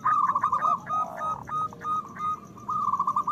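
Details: Strong-voiced local zebra doves used to coax other doves into song and breeding mood; quick rattling coo series, brief spaced notes, then a renewed fast trill.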